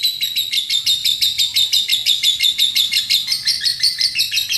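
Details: Lovebird song used as a training master for young lovebirds: a long, fast, even series of shrill chattering notes, about three per second, held without break.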